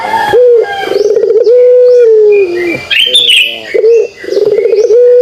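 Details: Kugeruk call of a pelung dove: repeated low coos, each starting with a short trill and then drawn out as a long even note that slowly falls. Thin high chirping from other birds between phrases.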